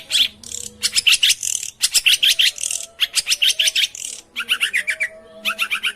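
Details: Long-tailed shrike song intended to prompt a silent bird to sing: fast bursts of scratchy, rattling chatter with high squeaky notes, run together in rapid series broken by brief pauses.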